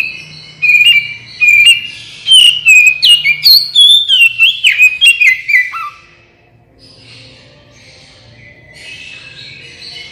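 Oriental magpie-robin singing a rich run of clear, varied whistles, rising and falling and quickening over five seconds, then fading to soft distant chirps over a faint hum.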